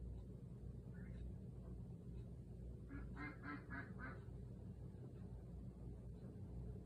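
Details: A 50-day-old Cayuga duck on a patio, calling for its owner who is inside, gives a quick run of four or five loud, nasal quacks after one earlier quack, over a steady low rumble.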